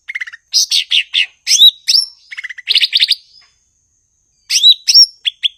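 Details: Cucak ijo (blue-winged leafbird) singing hard: rapid buzzy chattering bursts, a pause of over a second, then bright looping whistles and short clipped notes.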